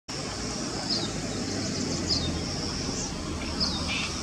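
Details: Male crested bunting giving three sharp, high, downslurred call notes spaced over a second apart, above a steady high insect drone and low rumbling traffic noise.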